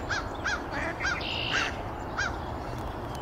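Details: Mallard hen recorded on 9 April 2024 at Canoe Meadows Wildlife Sanctuary, Pittsfield, Massachusetts, giving short nasal quacks, five in about two seconds at uneven intervals, over a steady rushing background noise.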